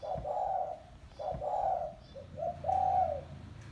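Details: A spotted dove (tekukur) calling, as used to lure wild doves, gives soft, low, hollow coos in three mellow phrases, the last longest, with a few faint low thumps in the background.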